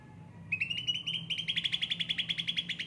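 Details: Yellow-headed ocean green cucak ranting, a kept bird given frequent care, in full song: a rising, quickening series of sharp chirps that becomes a rapid, evenly pulsed chatter over a faint low hum.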